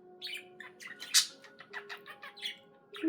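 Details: Indoor pet budgerigar twittering a quick series of bright chirps and short squeaky notes, one louder sharp note in the middle, over a faint continuous hum.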